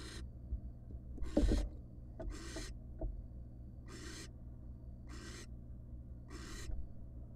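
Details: Wild barn owl at a monitored nest box, the father arriving with a gigantic rat on the first night after his first nestling hatched; harsh, breathy hissing bursts repeat about every second, mixed with scraping and rubbing noises inside the box.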